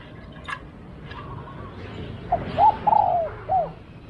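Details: Spotted dove during a decoy-luring session: after a few dull knocks, one cooing phrase of a short note, a rising hooked coo, a long gently falling coo and a final short hoot.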